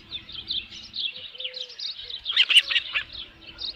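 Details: Osprey on the nest with a headless fish, 27 June 2018 at midday: high, thin chirps come one after another, then a louder, brighter burst near the end, with a soft, low steady tone underneath.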